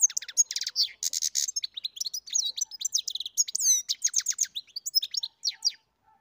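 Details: Captive-bred European goldfinch delivering a long, unbroken run of high, twittering song, mixing liquid trills, descending slurs and short nasal buzzes.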